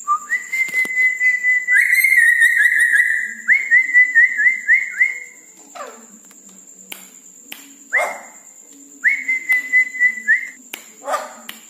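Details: Red-breasted parakeet in full song at night, giving steady high whistles broken into quick pulsed runs, with short gaps and sharp clicks between phrases.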